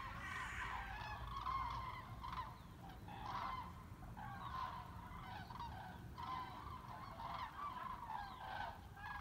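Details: Cranes in migrating flocks over the Weser at Bremen, Germany, on 30 October 2016, formations breaking up and re-forming: many distant overlapping trumpeting calls in irregular bursts over a constant low rumble of city noise.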